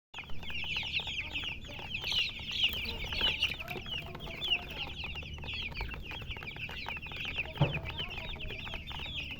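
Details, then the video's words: Chickens chirping: dense, overlapping high peeps, many short downslurred chirps crowding together without a steady rhythm, with a low background hum and a few soft knocks underneath. "silly chicken chirping sounds with murgi hen color chicken"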